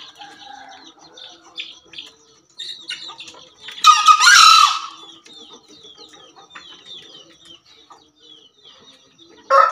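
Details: Crow of a Javan green junglefowl: a brief coarse burst near the middle, surrounded by many small chirping and twittering birds in the background, another harsh onset cut off at the end.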